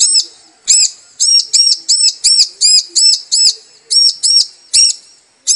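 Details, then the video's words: Female bar-winged prinia calls to a male, a lure sound for male singing: a rapid, nearly continuous run of high, sharp arched chirps, three or so per second, with brief soft ticks between. "Ciblek Betina Memanggil Jantan"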